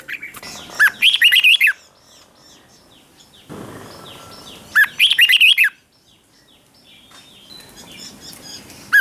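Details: Red-whiskered bulbul singing a morning ché-style training song. Two short bursts of jumbled, warbling whistles are spaced about four seconds apart, with thin high chirps and soft background noise between them.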